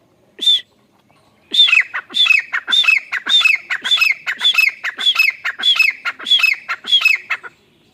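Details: Grey francolin call: one sharp high note, a short pause, then a rhythmic run of loud, harsh squawking phrases, each high and piercing then dropping lower, repeated roughly twice a second.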